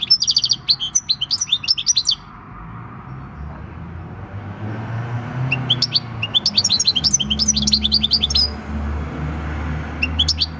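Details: European goldfinch, six years old and wild-caught, giving field-type song on 26 December 2019: clusters of fast, high, tinkling twitters in several bursts, over a steady low background hum.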